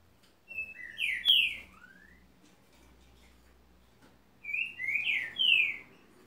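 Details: Green-winged saltator singing two bursts of loud, clear whistled phrases, each a run of three or four rich slurred notes, some falling, separated by about three seconds of quiet with faint low background hum.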